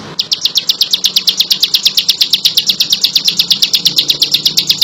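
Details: Energetic bar-winged prinia song, high clipped notes rattled out in an unbroken, regular train of roughly seven per second, strong and close against a quiet background.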